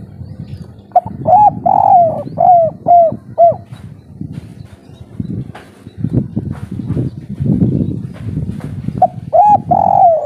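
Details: Local kuk 3 spotted dove in breeding condition sings a loud phrase of a brief note, a rolling coo and four falling coos, then a stretch of low rumbling noise before coos start again.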